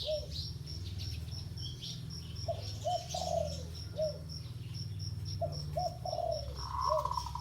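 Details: Spotted dove cooing during ground decoy luring: soft, low, hollow coo phrases with short notes and a falling final note, repeated twice, over a steady fast-pulsing high insect buzz and a low rumbling hum.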